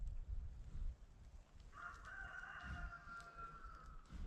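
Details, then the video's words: Rooster on a bison ranch crowing on a freezing winter day, one long sustained crow trailing off, with steady low wind noise beneath. "Hear that dumb rooster."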